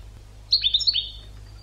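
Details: Short phrase of European goldfinch song from an educational recording for training birds: four quick, bright, descending twittered notes fading into a thin high whistle.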